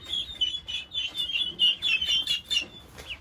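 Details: Baby turkeys, one and a half months old, noisily calling: a burst of shrill, piping peeps repeated several times a second by more than one bird.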